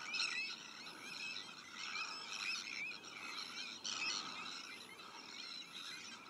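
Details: Sandwich tern breeding colony shared with black-headed gulls, Arctic terns and common terns: a dense, continuous din of harsh, grating overlapping calls with pulses of louder rasping bursts, no quiet gaps.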